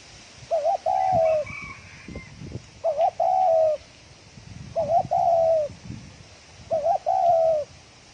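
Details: Fast 'thổ còi' style coos from a spotted dove, used to excite decoy birds. Four regular phrases, each a brief two-part flutter leading into a long mellow note, with soft background rustling and faint distant chirping.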